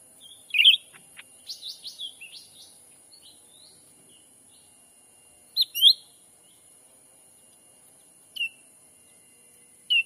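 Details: Sumatran forest lure call of a black-capped bulbul, used to draw in wild birds: scattered sharp chirps and short whistled notes in uneven bursts, with quiet gaps and a faint continuous high tone.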